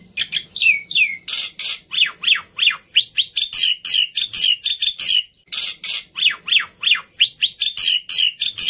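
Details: Emotional fighter Black-winged myna used to tutor silent starlings: long continuous stream of grating squawks alternating with curved rising whistles, nearly without a break, with one brief pause.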